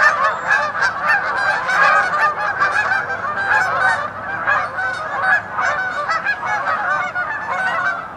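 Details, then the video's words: A large flock of geese honking together in a dense, continuous clamor of overlapping nasal calls, loud and unbroken throughout with no pauses. "GEESE AND DOGS ALL MAKING NOISE"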